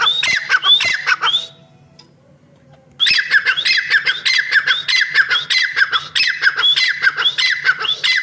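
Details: Female francolin (teetar) calling, a recording titled as a hunting voice: harsh, grating calls in quick, overlapping bursts, several a second, with a brief silent pause before the chattering resumes.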